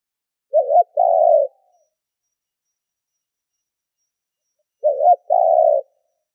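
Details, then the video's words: Spotted dove used as a lure bird to draw other doves, giving two coo phrases about four seconds apart, each a short wavering double note followed by a longer, even, low hooting coo; silence between. "Tiếng cu gáy mồi thúc gù kích bổi Hiệu quả"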